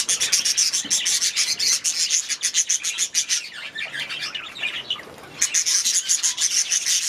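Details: Budgerigars kept in an aviary pour out rapid, high twittering and buzzy chirps in dense runs, dipping to a quieter, looser warble midway before the busy chatter resumes.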